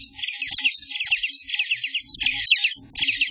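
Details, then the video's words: Day-18 Eastern bluebird nestlings in the nest, June 24th, 2021: continuous high, rapid, scratchy begging chatter with quick downslurred notes, easing briefly near the end. "Eastern Bluebird Babies!! Day 18 part one"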